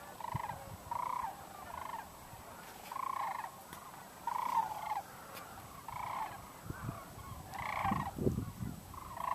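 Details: Cranes in 2012, watched as they were expected to take flight: a series of far-off, rolling, hoarse calls at roughly one-second intervals, with broadband hiss and a few low thumps near the end.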